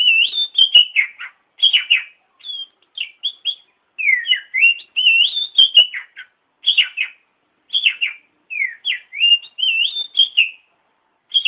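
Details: Tutor song of an oriental magpie-robin for teaching other birds: rich, fluty whistles and rising slurs strung into continuous varied phrases, with occasional sharp ticks.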